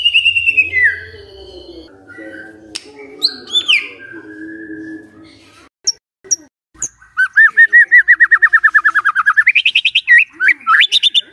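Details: White-rumped shama singing: falling whistles and soft lower warbling first, then scattered sharp notes, ending in a long rapid trill of rising, repeated whistled notes climbing higher in pitch.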